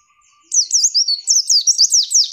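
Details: Brief rush of sharp, high chirps from a female white-eye, used to prompt males to sing back: about a dozen quick zigzag notes strung together after a silent start.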